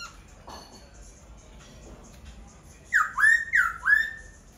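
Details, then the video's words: Laughingthrush singing after faint background murmurs: three loud, rich whistled phrases, each sliding down then up, delivered in quick succession. "Khướu hót cực hay."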